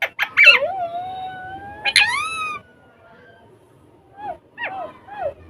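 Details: Rose-ringed parakeets kept as pets, talking in Urdu and Hindi on a table: a long, drawn-out voiced note, then a rising harmonic phrase. After a quiet gap come a few short, falling, nasal notes.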